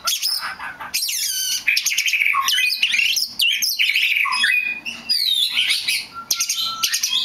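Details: Rich, varied song from a rare black magpie robin: sweeping downslurred whistles, buzzy trills and sharp chips follow one another without pause, a few lower whistled notes near the end.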